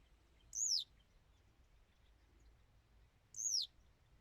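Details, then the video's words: Two clear high downward-sweeping notes from a Western yellow wagtail, spaced nearly three seconds apart, over faint low-frequency background noise. "Пение жёлтой трясогузки"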